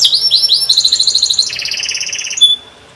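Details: Canary in full, constant song, used as a lure recording to teach young canaries to sing: loud high rolling trills of rapid repeated notes, shifting to a lower fast roll, ending on a brief clean whistle.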